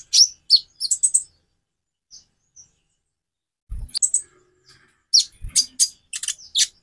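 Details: White-rumped shama song, aimed at making other birds sing: sharp high chirps in quick bursts separated by pauses, with faint whistles and an occasional low knock.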